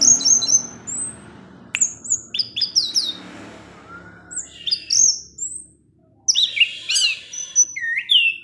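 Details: Orange-headed thrush, a cage bird, delivering teler-style ngecip ngecis song: clusters of very high, thin whistles and quick slurred chips, pausing around the middle before a dense final burst.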